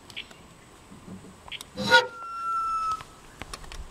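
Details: Sunbittern (Eurypyga helias), call.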